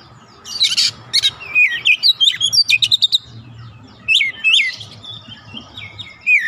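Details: Oriental magpie-robin, a 'bahan' (untrained) bird joining in 'gacor' song, gives varied rising and falling whistles mixed with rapid sharp notes in two phrases separated by a short pause.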